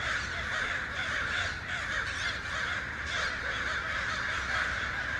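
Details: Many crows with other birds calling at once, their rough caws blending into a continuous noisy chorus with faint rhythmic pulses and no quiet gaps.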